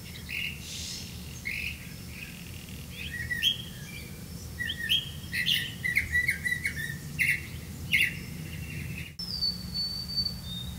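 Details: Grey-capped greenfinch feeding young on crickets; a busy run of short chirps and twittering notes, some doubled, ending in a sharp click and a thin high whistle, with faint background hum.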